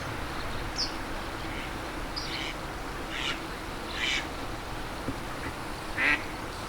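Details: Juvenile Japanese wagtail calling in late May, recorded 27 May 2023: scattered short, rough, buzzy call notes at irregular intervals, about five in the span, over steady background hiss.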